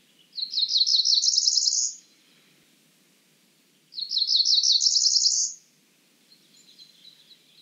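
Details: Cerulean warbler delivering two high, rapid, buzzy phrases of repeated notes rising steadily in pitch, each about one and a half seconds, separated by two seconds of quiet with a soft trailing call at the end.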